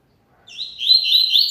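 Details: Double-collared seedeater singing a great deal: a loud high warbled phrase starting after a brief silence, with rapid slurred notes running on a fairly level band to the end.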